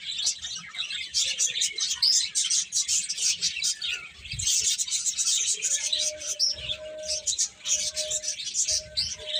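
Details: Mass of small birds twittering nonstop, piercing tweets in dense clusters, a low held tone appearing in the second half.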